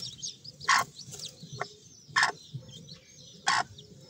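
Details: High, thin peeping from Sebright chicks, quick slurred chirps running together, with three loud broadband knocks spaced over a few seconds.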